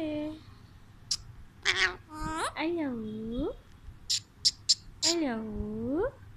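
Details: Pet Alexandrine parakeet talking; clicks and sharp ticks between mimicked speech-like phrases with wavering, dipping then rising tones, several syllables over six seconds.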